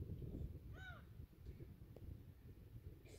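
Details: A gull calls at Yedanpo harbour, Yeongjongdo, South Korea, beside the tidal flats at sunset on 15 June 2023; one short, nasal, arched cry rising then falling, set against constant low rumbling background noise.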